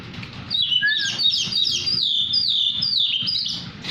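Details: Tame Oriental magpie-robin of the poci variety, singing busily: a fast run of bright, varied whistled phrases, many slurred downward, with a few lower notes and no other clear sounds.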